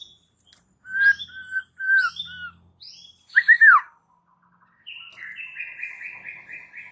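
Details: White-rumped shama in raging, aggressive song used as a training master to ready shamas for fighting: clear whistled notes, a loud rising-falling phrase, then a fast buzzy trill descending in steps.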